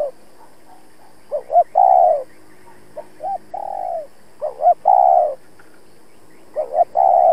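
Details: Caged decoy spotted dove calling to provoke rival birds: repeated three-part phrases, two brief clipped notes leading into a long, loud, slightly falling coo, with softer short coos between phrases.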